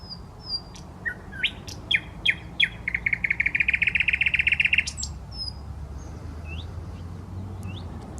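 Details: Common nightingale singing in a park on the Smolenka, Saint Petersburg, Russia: scattered clicks and upslurred whistles lead into a fast, even rattling trill of about two seconds, then soft rising whistles, over low city rumble.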